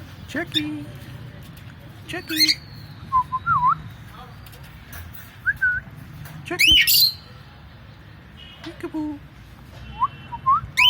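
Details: Pet cockatiel making funny sounds: loud sharp squawks scattered among softer whistled notes that bend up and down, with short quiet gaps between bursts and a low hum underneath.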